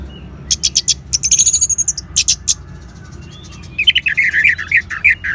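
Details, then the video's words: Orange-headed thrush, caged, in the ngeban singing style used to prompt other caged birds to sing: bursts of high twittering notes and a clear whistled phrase, then lower warbling chirps near the end. "Suara Ngeban Untuk Pancingan ANIS MERAH Jitu Membuat Burung Gacor"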